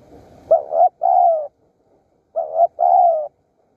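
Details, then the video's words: In Surat Thani, Thailand, a wild spotted dove calls during decoy luring, giving two soft phrases about two seconds apart. Each is a clipped double note leading into a long, gently descending coo, and the background is almost silent. "ต่อนกเขาใหญ่สุราษฎร์ธานี หมายในบางใบไม้ นกป่าเรียกคู"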